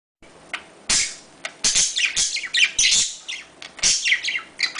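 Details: Budgerigar mating sounds, used to encourage breeding: dense, rapid chirps and scratchy warbling notes, many sliding downward, in bursts separated by short pauses, with a faint indoor hum.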